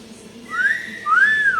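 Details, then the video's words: Common hill myna imitating speech: a pure whistle gliding upward, then a second long arched whistle that falls away at the end. "ngomong apa ya kira-kira ini burung?"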